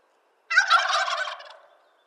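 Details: Wild turkey of eastern North America giving a single loud gobble, a rapid rattling burst of about one second that fades out quickly against a silent background.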